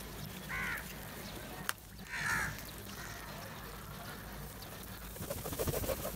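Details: Several crows feeding together and calling: two hoarse caws roughly two seconds apart, a sharp click between them, then softer rustling and faint chatter toward the end over a low hum.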